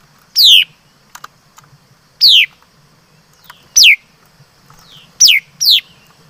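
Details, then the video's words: Laughingthrush singing: five loud, clear whistled notes, each sliding steeply downward, given singly or as a quick pair at uneven intervals of one to two seconds, over a quiet background with faint soft clicks. "Suab Noog Ncuas Quaj Zoo || Tiếng Chim Mi Đất Hót Chuẩn"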